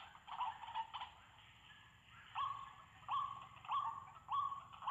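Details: White-breasted waterhen calling: bursts of harsh, nasal croaking notes with strong overtones, given in short repeated phrases about once every half second, with a pause in the middle; quiet background.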